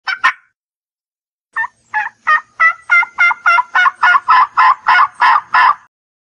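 A turkey gives two short notes, pauses, then about fourteen raspy, yelping notes at roughly three per second, growing louder before stopping abruptly.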